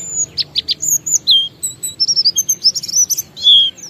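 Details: Lure song of an Oriental white-eye (pleci) used to get other white-eyes singing: a few short buzzy notes, then high sweet whistles and rapid chip sequences, ending with a longer clear downslurred whistle.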